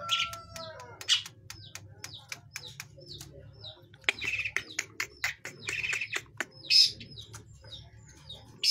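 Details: Juvenile long-tailed shrike learning to sing: varied chirps, short whistles and scratchy phrases interspersed with crisp clicks, over a constant low hum.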